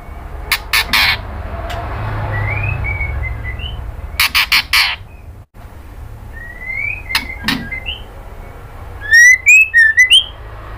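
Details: Female white-rumped shama calling a male, kretekan style: clusters of crackling clicks alternate with soft sliding whistles, closing with a run of loud quick whistled notes; low background noise throughout.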